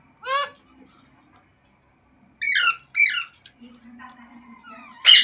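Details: Green parrot gives scattered squawks and squeaky, sliding notes: one near the start, a pair in the middle and a loud one at the end, with a low hum between them.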